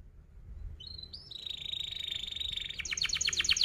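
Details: Canary used to teach young canaries to sing: rising whistled notes lead into a steady buzzing roll, which breaks into loud, rapid, sharply pulsed chirps at the end.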